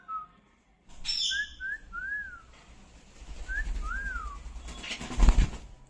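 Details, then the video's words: Pet talking parrot whistling after being asked to: several clear, smooth whistled notes that rise and fall, with steady background rumble and a loud clatter near the end. "Bolne wala tota"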